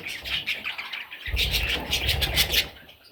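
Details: Parrot chicks chattering in a run of high, raspy chirps, denser and louder in the second half, with low thumps of movement underneath.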